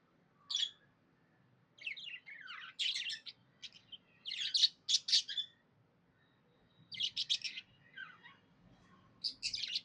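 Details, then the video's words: Happy budgerigar chatter: scattered bursts of harsh buzzy notes and squeaky warbles with quiet gaps between them. "Happy budgie chirping sounds"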